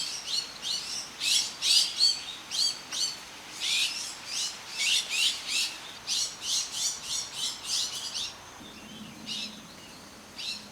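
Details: Iberian magpie (Cyanopica cooki), found only in the Iberian Peninsula, in Portugal; a very gregarious bird that gathers in winter roosts of hundreds. Gives a rapid run of high, buzzy, rasping calls, about three per second, fading near the end.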